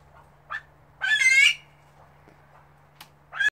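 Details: Female Himalayan monal giving a loud, harsh, harmonic-rich squawk lasting about half a second, framed by a few shorter, quieter rasping notes and a sharp click, over a steady low hum.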